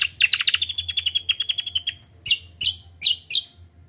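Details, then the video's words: Common iora (kacial) in full combo song meant as a lure for young birds: a fast rattling series of high whistled notes, then four separate emphatic rising chirps spaced evenly, over a faint low hum. "TERAPI BURUNG KACIAL KOMBO GACOR"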